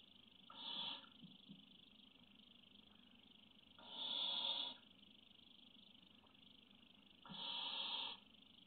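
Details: Webcam recording of a barn owl chick waiting patiently, 03.05.17: three breathy, snore-like hisses of roughly one second each, spaced about three seconds apart, over a constant high electronic hum and faint shuffling.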